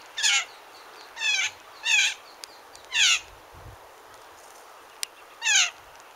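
A blue jay gives five harsh, nasal, slightly falling jeer notes, roughly one per second with a pause before the last, over a quiet background.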